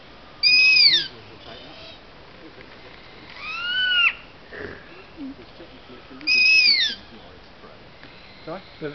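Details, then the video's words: Captive owls at a Bird of Prey Centre squeak at each other: thin, high squeaks sliding downward, three short bursts about three seconds apart, with faint murmuring voices underneath. "Owls making noises to each other"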